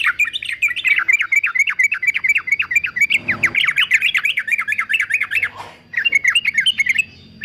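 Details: A singing male fighter yellow-vented bulbul, meant to train quiet birds: dense, lively warbling chatter of rapid up-and-down notes running almost nonstop, with one short pause near the end.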